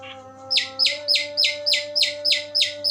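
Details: Long-tailed shrike delivering its "Tembakan Gereja" song: a run of harsh, downward-sweeping notes repeated evenly about three times a second, over a steady low hum and faint background tones.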